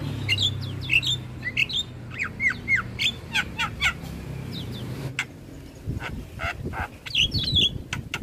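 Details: Training song of a Javan myna for other starling species, bird nodding fully: curving whistled slurs and chattering notes in a loose sequence, then scattered clicks over a low rumbling background.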